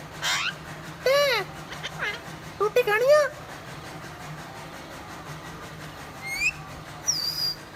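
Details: A parrot speaking Punjabi gives a quick run of harmonic, arched speech-like syllables over about three seconds. A pause follows, then a brief rising whistle and a high thin whistle, with a faint steady hum underneath.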